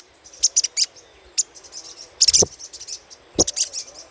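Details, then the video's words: Little spiderhunter chatter for luring birds: brisk, very high chipping notes in short stuttering groups, the loudest burst midway, with gaps of quiet between. "PANCINGAN SUARA CRECETAN SOGOK ONTONG"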